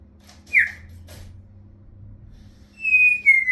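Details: Talking African grey parrot indoors giving a short squeaky note, then a long clear whistled tone sliding slightly downward.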